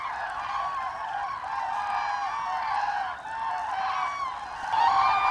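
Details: Common cranes migrating in autumn over Hesse, Germany, 25 October 2021: many overlapping bugling calls from a passing flock, dipping briefly in volume then swelling again with a louder nearby call near the end.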